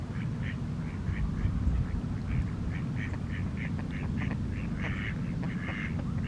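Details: Red-crested pochards, with swans present, at Garda on Lake Garda, Italy, on 1 March 2023, give short, nasal, quacking notes in quick irregular bursts, growing busier toward the end, over a steady low rumble of wind and water.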